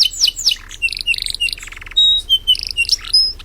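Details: Lively canary song for tutoring other birds: quick falling whistles, short buzzy chattering phrases, a lower rasping rattle and thin clear whistles, changing phrase every fraction of a second.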